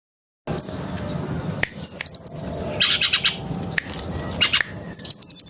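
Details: Kept mangrove blue flycatcher singing actively, as lure material: very high, rapid bead-like trills of bright notes, mixed with short buzzy chattering bursts and scratchy phrases, with sharp clicks between phrases.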